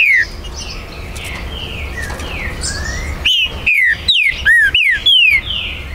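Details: Green-winged saltator kept at a Brazilian breeder's premises, recorded 19 September 2020. The song is territorial and meant to provoke rival birds. After quieter background chirps, a burst of loud, slurred, descending whistles runs in quick succession, with other birds faint behind.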